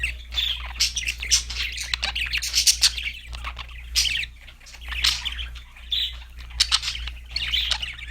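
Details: Happy singing budgies chirping steadily: overlapping twittering phrases and sharp high chirps come in waves every second or so, with a constant low hum underneath.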